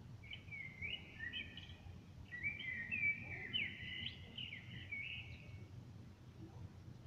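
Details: Common blackbird singing outside a window, recorded on a smartphone: two mellow, warbling phrases, a short one then a longer one, over a steady low rumble of unidentified background drone.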